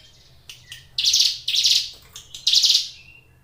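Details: Caged ciblek gunung, or Brown Prinia, giving three loud, harsh, buzzy high notes about half a second apart, with a few fainter ticks between them.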